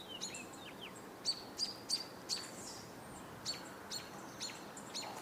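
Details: American Robins calling on 26 July 2022 near a campus football field while a hawk is close by: thin, high chips and short sliding whistles at an uneven pace, a few each second, over steady outdoor hiss.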